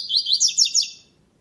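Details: Double-collared seedeater in a singing tournament, classic song without the third note: a fast, high, ringing series of about six slurred notes that rises slightly in pitch, then fades out cleanly, with no other sounds.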